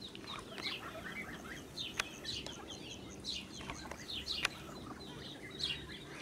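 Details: Ducklings of a blue Muscovy duck, recorded with their mother on a farm on 8 July 2017, giving high, thin peeps in loose repeated bursts, with occasional sharp clicks and faint low background noise.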